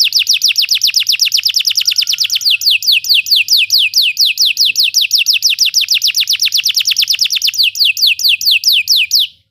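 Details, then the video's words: A Belgian canary sings a long, rapid, unbroken trill of bright, high, down-slurred notes, about eight to ten per second, for nine seconds. "Belgian canary singing makes your canary sing"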